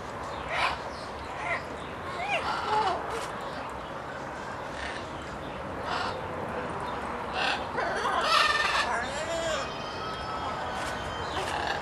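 A parrot chatters in raspy, speech-like bursts mixed with short whistled slides and squawks, coming several times a second over a steady background hiss.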